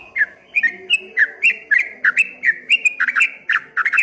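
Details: Short burst of streak-eared bulbul song in the 'ropel ngombak banyu' manner, quick clipped whistles sliding downward, some doubled at the end, delivered at a brisk steady pace.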